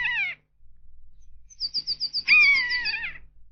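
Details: Common buzzard, a large raptor hunting rodents, soaring above tall trees and giving its plaintive cry: a short mewing note falling in pitch, then a rapid high trill, then a longer drawn-out cry that droops slowly.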